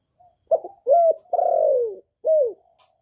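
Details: Kept spotted dove, Vietnamese cu gáy, cooing in the calling and urging manner played daily to get new doves singing; no background noise. A soft lead-in, then four hollow coos, the long third note sagging downward.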